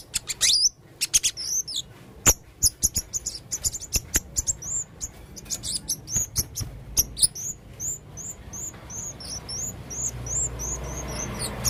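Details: A male blue-crowned hanging parrot sings at full intensity in a varied style. Rapid clicks mix with squeaky notes, then a long run of very high, repeated chirps sweeps up and down, several per second, over faint background hum.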